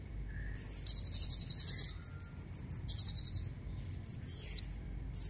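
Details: Female blue-crowned hanging parrot calling to lure red-necked males: thin, high-pitched squeaky notes in quick strings, broken by short buzzy rattling bursts, with a faint low hum underneath.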